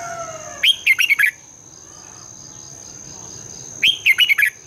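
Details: Red-whiskered bulbul singing at dawn, recorded as a lure to stimulate singing: two short rippling phrases of four or five quick warbled notes, about three seconds apart, over steady faint hiss.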